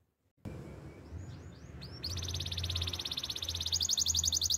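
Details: A Waterslager (Belgian) canary sings a training song: a few rising whistled notes, then a fast, even, bubbling trill of rapid pulses that grows louder, over a low background hum.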